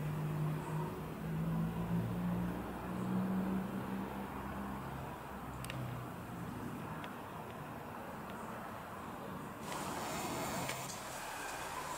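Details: A vehicle engine drones steadily, then gives way to rushing road and wind noise, with no animal calls heard.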